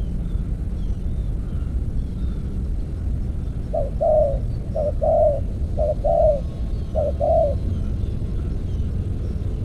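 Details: Spotted dove calling while being lured with an earthen decoy trap. Four soft, low cooing phrases come in a row about a second apart, over a heavy, steady background rumble.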